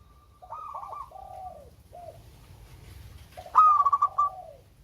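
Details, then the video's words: Local zebra dove with a melodious voice, used as a lure for reluctant singers: soft cooing notes near the same pitch, then a louder, stuttering, pulsed phrase near the end. A few faint high chirps are also heard. "Perkutut LOKAL SUARA MERDU"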